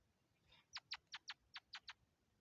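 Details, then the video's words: Robin feeding its young: after a faint rasp, seven short, sharp, downward-swept chips come in quick succession over about one second, each clear and separate against quiet background hiss. "A robin bird is feeding its young"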